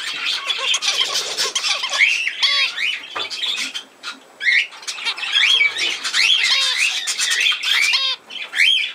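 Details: Budgerigar chatter dated 17 November 2024: continuous buzzy warbling with rising and falling whistles, rasping squawks and brief pauses near the middle.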